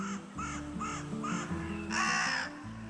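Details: Carrion crow at the foot of the Pyrenees, Spain, in spring, gives four short, harsh caws about half a second apart, then a longer, louder one, over soft background music.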